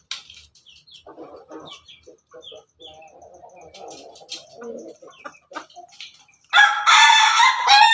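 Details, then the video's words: Atop its cage, a red Ayam Ketawa rooster is heard after several seconds of soft clucks, low murmurs and scattered chirps. At the end it bursts into a loud, rich, melodious crow that is cut off. "Ayam ketawa di atas kandang, simerah pendekar berkokok yang merdu"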